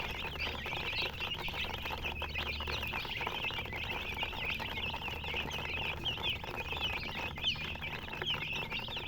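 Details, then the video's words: Chickens chirping steadily: a dense stream of many overlapping high, short peeps, almost continuous across the clip, over a low steady hum. "silly chicken chirping sounds"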